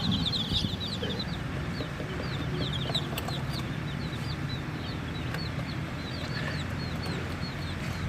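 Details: Many chicks peeping with a toy jeep placed among them, high thin downward-slurred peeps repeated rapidly from several birds over a steady low rumbling hum.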